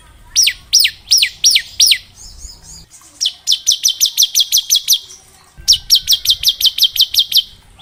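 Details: Bar-winged prinia singing in the ngebren style, a training recording for young prinias: five slurred descending notes about a third of a second apart, a soft pause, then two fast runs of sharp repeated chips.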